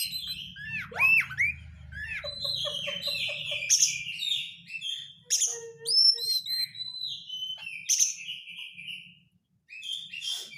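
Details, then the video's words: White-rumped shama song played as a lure to trigger singing, full of close 'crecetan' chatter: swooping whistles, a quick stuttered run of short notes, then scattered sharp bursts and falling whistles with brief pauses. "pancingan kacer susah konslet dengan suara crecetan rapat"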